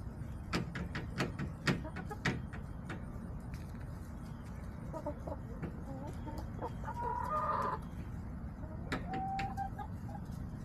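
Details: Backyard hens in early October, giving soft scattered clucks, then a louder drawn-out nasal call around the eighth second and a short cluck after it, over a low background hum with occasional clicks.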